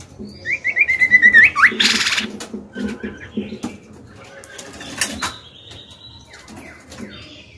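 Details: Female white-rumped shama singing to goad males into answering: a fast rising trilled whistle, then a loud broad rush like fluttering wings, followed by quieter clicks and a low hum.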